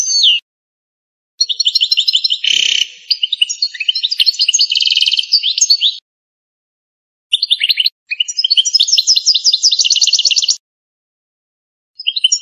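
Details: Canto campero song from an authentic Algerian goldfinch: two long bursts of rapid metallic trills and tinkling twitters, separated by a short pause, with a last fragment at the end. The background is quiet.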